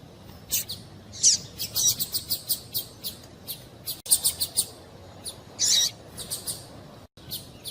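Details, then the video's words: Call of a female double-collared seedeater, used to make the male sing: brief, piercing high chirps repeated steadily throughout, a few louder notes standing out among evenly spaced softer ones. "Melhor Piado de Fêmea de Coleiro para Esquentar Coleiro"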